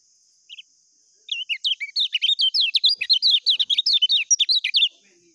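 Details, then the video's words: Lemon-bellied white-eye (kecial kuning) singing in the full 'ngejos' style used as a tutor song: after a lone opening chirp, a rapid, unbroken run of high, sharp warbled notes, about four per second, for nearly four seconds. "SUARA BURUNG KECIAL KUNING FUL NGEJOS"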